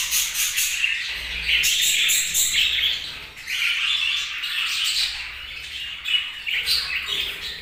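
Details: Budgerigars giving bursts of squawky chirps and scratchy warbles, the chatter coming in loud clusters separated by short quieter gaps.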